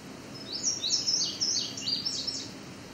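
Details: Indigo Bunting singing in the Great Lakes region, with a second bunting nearby: a bright, high series of paired, sweet notes, some rising and some falling, delivered quickly over a few seconds, with faint background hiss.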